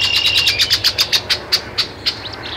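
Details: Great-tailed grackle in Taos, New Mexico, 17 June 2017, giving a rapid series of about fifteen sharp, clicking high notes that slow and fade over two seconds, followed by a brief whistled squeal.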